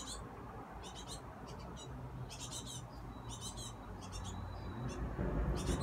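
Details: Noisy baby great tits giving bursts of high, harsh, rasping begging calls in clusters roughly every half second to second, with a thin sustained whistle-like tone in between, over a steady low background rumble.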